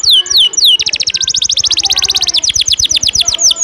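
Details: Canary with a sharp ngejos-style song used to train contest birds: three quick swooping whistles, then a very rapid, even trill of high chips, slowing into separate descending notes.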